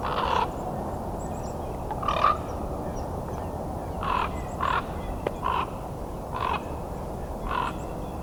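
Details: American Crow giving about seven hoarse, short caws spaced irregularly over eight seconds, over a steady low rumble of traffic or wind; recorded December 30, 2021 during a Christmas Bird Count at Fletcher Creek Ecological Preserve, Puslinch, Ontario.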